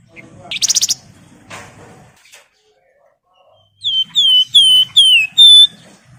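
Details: Javan wergan calling rivals, used as a lure: a short buzzy chirp and faint murmur, a pause, then a run of five pure whistled notes, mostly falling slurs ending on a level tone.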